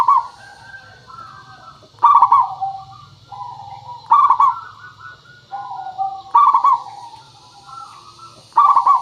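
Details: Rhythmic zebra dove song from a local bird, meant to draw a reply: four loud bubbling stuttered phrases about two seconds apart, each sliding into softer falling coos, over steady faint hiss.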